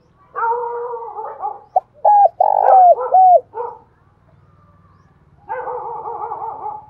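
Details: Spotted dove giving urging coos to attract wild doves: soft, throaty cooing, then a loud four-note phrase with a long middle note, more soft cooing and a faint low hum underneath.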